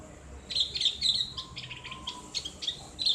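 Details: Training song of a Javan grey-throated white-eye in the ngriwik style with a clear ngeplong voice: bright high chip notes in quick clusters, with a faint steady lower tone in the middle.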